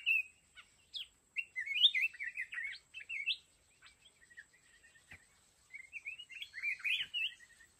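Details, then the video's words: Red-whiskered bulbul decoy at a trap for fighting birds, giving lively whistled, warbling phrases in uneven bursts, with a couple of sharp clicks and a constant faint high-pitched hum behind. "Chào mào núi bẫy đấu"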